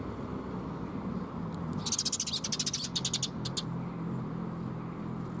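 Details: Young sparrow at Mizukami Bridge on 5 June 2021: a quick run of about twenty high, sharp chirps over roughly two seconds, set against steady low rumbling background noise.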